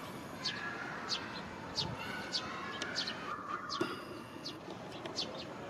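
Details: Hungry young Eurasian Tree Sparrow trailing its foraging parent along a Japanese roadside on a sunny early-July 2022 afternoon near 16:50, begging: fairly faint, thin high chirps repeated at a steady pace over a rushing background hum.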